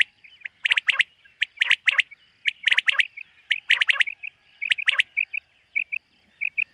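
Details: Common quail in a summer meadow at morning, delivering clipped triplet calls about once a second, followed by a string of softer paired notes.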